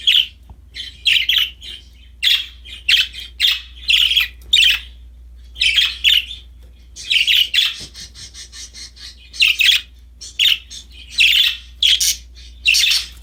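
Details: Budgies, happy and playing with a new toy, chatter in rapid rhythmic bursts of scratchy chirps and warbles, nearly continuous for thirteen seconds, with a brief buzzy rattle in the middle and a low background hum.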